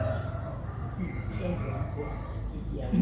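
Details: Begging of a streak-eared bulbul chick aged six days, Ubon Ratchathani, Thailand, recorded 8 April 2023; three high, thin, drawn-out squeaks spaced evenly, with a murmur of low background sound.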